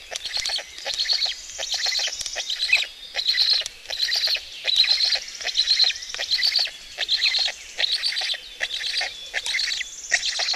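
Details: Black storks of a stork family at their nest in Estonia on a May 2018 morning: wheezy, rasping bursts repeated about once a second, some of them doubled, with brief quiet gaps between them.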